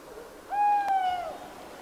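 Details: Tawny owls: a single smooth, steady hooting note lasting under a second, rich in overtones and tailing off slightly lower at the end, over a quiet background.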